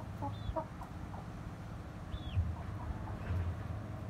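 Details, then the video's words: Hens and grown chicks in a family coop with a rooster: a few soft clucks mixed with two or three high, falling peeps, over a low steady hum. "Amcamın Horozu, Tavukları ve Civcivleri - My Uncle’s Rooster, Hens and Chicks"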